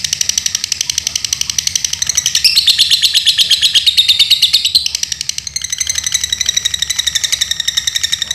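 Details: Pet lovebird in Pemalang, Central Java, keeping up a long fast chatter of high scratchy pulses, louder and higher in the middle section, then settling back into a steady trill.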